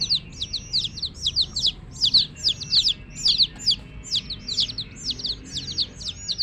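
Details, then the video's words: Domestic chicks calling together, a busy flock of thin, high-pitched peeps that each drop sharply in pitch, coming in uneven clusters about once a second over a faint hum. "Hen Baby Chicks, Witty MURGI Baby "Chicks Chirping" Sound"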